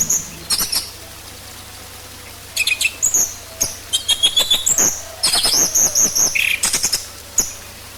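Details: Orange-headed thrush song played as a lure to get other birds singing: scattered high whistles and thin tonal notes, then rapid bursts of sharp chattering phrases around the middle and near the end, with brief pauses between runs.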